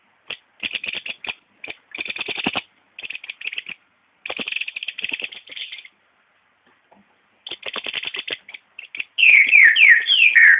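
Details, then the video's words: Green-headed tanager giving bursts of dry, buzzy rattling notes in quick series, separated by short pauses, ending in a run of bright, downslurred whistled notes; no other sounds. "Sairinha de 7 cores fazendo barulho"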